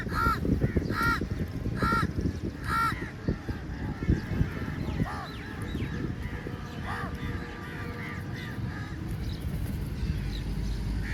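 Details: Large flock of crows at feeding time, mobbing food: a run of harsh, evenly spaced caws in the first three seconds, then scattered fainter caws over a dense low rumble of background noise.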